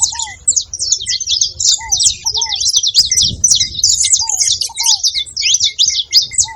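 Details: Saffron finch calling: a nearly unbroken stream of sharp, high, scratchy chirps in quick succession, punctuated by brief lower downslurred whistles roughly every second, over a faint low hum.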